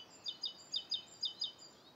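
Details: Clear close chirps from a Rose-coloured Starling, Bishopston, Bristol, morning of 29 November 2014: sharp, high notes in pairs, spaced evenly about every half second.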